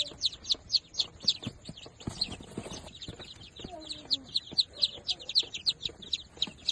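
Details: Fifteen newly hatched day-old chicks of the pure Darag native chicken breed, peeping in a dense chorus of short, high, downslurred chirps repeated several times a second, with soft rustling and faint low knocks beneath.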